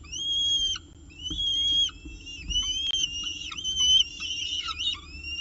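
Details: Peregrine falcon at its nest with breakfast, recorded 19 October 2018; a series of high, thin, slurred whining calls with downward-bending notes, repeated irregularly over a low steady hum.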